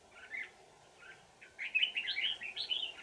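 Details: Wild red-whiskered bulbul, an old forest bird with a twisting bell-like voice, singing during trapping with a decoy on 20 December 2018: short warbled phrases, then a faster run of bright rising and falling whistled notes, over steady low background hum.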